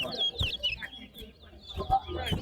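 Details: A seed finch sings in a bird singing competition, giving quick, high whistled and warbled phrases that slur downward, over low thumps and the murmur of people counting nearby.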